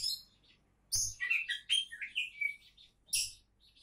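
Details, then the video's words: Oriental magpie-robin promoted as a contest champion candidate, singing a quick varied phrase of warbled, slurred whistles between two harsh high bursts. "Kacer Calon Juara"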